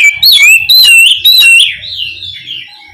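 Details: Oriental magpie-robin (kacer) calling to its companion, giving loud, close whistled notes that slide up and down, broken by quick chirps, with a fading trailing warble at the end.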